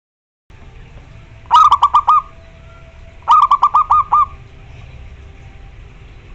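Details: Local zebra dove in full song, calling a rival, played as a lure and therapy for doves reluctant to sing: two stuttering cooed phrases of about six rapid notes each, roughly two seconds apart, over a low steady hum.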